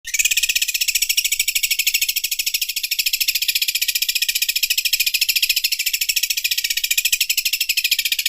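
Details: Greater green leafbird song in its sewing-machine imitation style, a continuous rapid mechanical ticking buzz, very high and dense, pulsing steadily without a break for over eight seconds.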